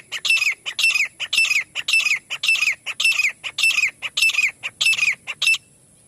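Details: Partridge (teetar) giving a long, steady series of harsh, grating notes, close to two per second for over five seconds, each note a scratchy double burst, then silence.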